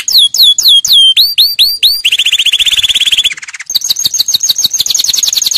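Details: Canary song meant for training young birds, starting with slow looping whistled swoops, then a rapid buzzy rolling trill, a short lower rattle, and a fast bright high trill to finish.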